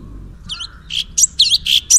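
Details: Orange-bellied leafbird (cucak cungkok) singing in full 'tembakan' style: after a quiet start, a run of bright, high, chattering phrases mixed with sharp whistled flicks, closely spaced over the last second and a half.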